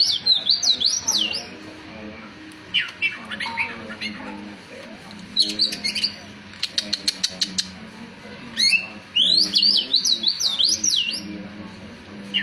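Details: Oriental magpie-robin (kacer) singing: bursts of high, sharply modulated whistles and chattering phrases, separated by pauses, with sharp clicks and low murmuring voices underneath.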